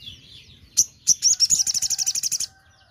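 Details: A crimson sunbird singing in the morning gives a rapid, high-pitched song: a few sharp opening notes, then a fast trill of about fifteen thin, metallic chips over a second and a half.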